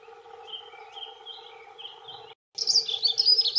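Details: Male dunnock territorial song, two males: thin, quiet, high notes drift for two seconds, a brief silence, then a sudden loud, rapid, squeaky warble bursts in.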